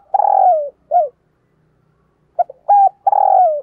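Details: Low coo phrases from a decoy spotted dove luring wild doves: a long rough falling coo and a short drop end one phrase, and after a pause another phrase starts the same way.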